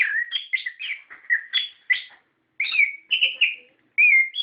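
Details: Orange-headed thrush singing a lure meant to draw song from captive birds, in the loud, rolling ngeplong ngerol style: a lively sequence of sweet whistles and short warbled notes, broken by one brief pause.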